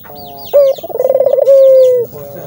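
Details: Single rolling coo of a Barbary dove, meant to get other doves calling: a short note, a run of rapid pulses, then a long, steady, slightly falling tone. Other small birds chirp faintly in the background.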